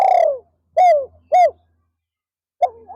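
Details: Spotted dove decoy in an afternoon session to attract wild doves, 'pa roi' style: a long purring descending coo, two short arched coos, silence, then a soft gliding coo beginning the next phrase. A faint low hum runs beneath.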